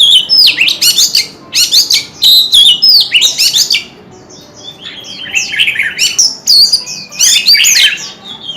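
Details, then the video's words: Energetic song of a kept white-rumped shama flicking its tail: rapid strings of sweet whistles and buzzy chattering notes in loud bursts, with a quieter stretch of softer warbling midway. "Tiếng chim chòe than hót - Chòe than hót xèo đuôi cực hay"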